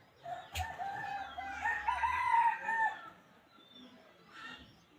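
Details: Wild junglefowl crow, a sustained harmonic call lasting over two seconds that swells in the middle and fades, with a brief click and a softer call afterward over background hiss.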